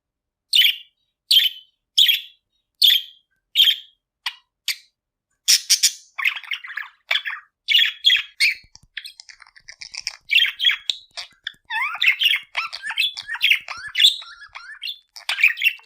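Budgerigar chirps: sharp repeated tweets giving way to a busy, scratchy warble of chatter.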